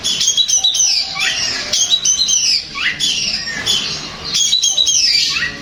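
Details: Long-tailed shrike (cendet) song played to provoke another shrike into answering and singing; harsh, varied phrases with sharp downward and upward slurred notes, repeated in bursts roughly every second over a faint background hiss.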